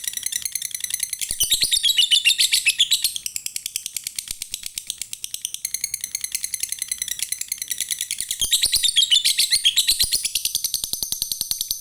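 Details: Lovebird giving a long ngekek trill used as a lure for other lovebirds: a dense, rapid, unbroken stream of harsh high chirps repeated nearly four times a second for twelve seconds, briefly softening midway, then intensifying again.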